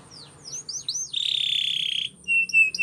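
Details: Canary training song with soft rising slurs, a steady buzzy roll for about a second, then pure whistled notes over a faint low hum.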